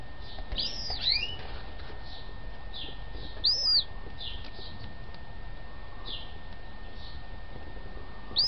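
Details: Yellow-legged gull chicks, a few days after arriving at a home where they were taken in and fully recovered, giving thin, high peeping whistles: arched or falling notes scattered irregularly, some in quick pairs, over a steady low hum.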